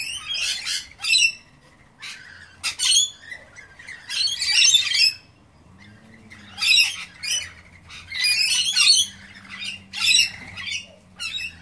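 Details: Wild lorikeets feeding on pear and apple; harsh, raspy screeching squawks in loud bursts of about a second, several birds overlapping, separated by short quiet gaps with faint low background hum.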